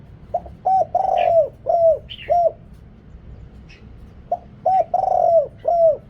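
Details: Deep-voiced decoy spotted dove calling to draw in wild birds, noise cut out: two phrases of short and long hollow coos, each with one extended note, separated by a pause with faint higher chirps.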